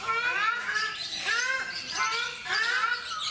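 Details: At Mysore Zoo in India, Brahminy ducks, or ruddy shelducks, trade harsh trumpeting honks, each a short arched note with strong overtones, three or four within a few seconds.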